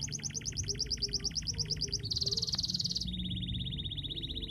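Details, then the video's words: Constantly singing canary whose song is meant to set off quiet, lazy canaries. A rapid rolling trill of paired notes, then a brighter buzzy high roll, then a steady lower trill of rapid even pulses. "Suara kenari gacor, cocok untuk suara pancingan kenari macet dan malas bunyi!!!"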